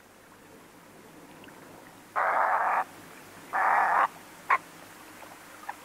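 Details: Western reef heron giving two harsh, guttural croaks about a second and a half apart, then one brief sharp note, over a faint steady hiss; the recording also has a splash, redshank calls, a barking dog and running water.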